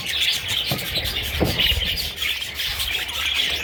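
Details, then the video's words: Young parrot chicks keep up a steady stream of high, squeaky chirps that blend into a busy twittering chorus, punctuated by a few brief dull knocks. "Parrot little babies"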